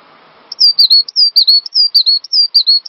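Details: Cinereous tit singing as a master lure to spur other songbirds into full song: after a short quiet start, bright high whistled two-note phrases repeat rapidly and evenly, each a sharp upslurred note dropping into a steadier whistle.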